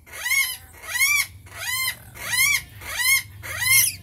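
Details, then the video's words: Rainbow lorikeet calling steadily, five loud arched squeals that rise and drop, spaced about two-thirds of a second apart, with a faint low hum beneath. "Rainbow Lorikeets"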